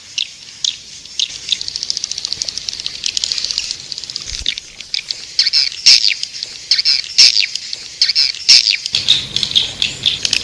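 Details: Lure call for edible-nest swiftlets, 'Raja Liur Emas' style, played to attract them into a nesting house: an even high ticking chatter, then louder repeated shrill chirp groups about every second and a half.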